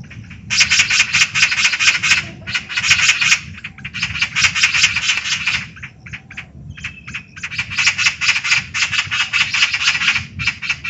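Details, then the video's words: Eurasian magpie chattering: dry, harsh rattling bursts of rapid repeated notes, each lasting one to two seconds, separated by short pauses, over a low rumble in the background. "喜鵲/Eurasian Magpie"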